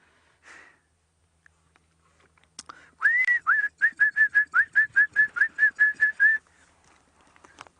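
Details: A lizard buzzard calls from the top of a tree on a morning safari drive, with two seen. It gives a longer rising whistle, then a fast run of about fourteen clear whistled notes, three or four per second.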